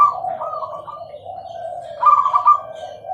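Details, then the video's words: Perkutut of the Bangkok type in clear song: a continuous low purring coo with bubbling, slightly higher trilled notes at the start and again after two seconds. "perkutut gacor suara jernih"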